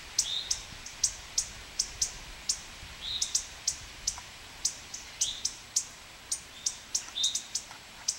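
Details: Male indigo bunting defending its nest at Kay Environmental Center gives sharp, dry, high spit calls about twice a second, with a few thin slurred chips mixed in; quiet background.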